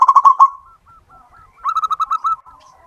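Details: Zebra dove of a local wild strain in full song, kept as a lure recording: a rapid stuttering coo burst, a hush of faint soft notes, then a second rolling, trilled phrase before quieter cooing.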